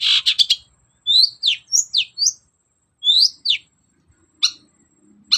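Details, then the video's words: Long-tailed shrike, a cage bird, singing to prompt a reluctant bird: a harsh buzzy burst followed by clear, downslurred whistles in quick series, then sharp clicks. "BURUNG CENDET GACOR DOR || Pancingan cendet males bunyi agar nyaut gacor"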